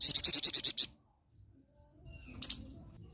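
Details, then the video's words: Flamboyan, or blood-breasted flowerpecker, a tutor songbird, delivers a quick run of about eight loud, high, sharp notes, falls silent, then gives one more bright note. "Burung Flamboyan Gacor Mulai Di minati Untuk Masteran"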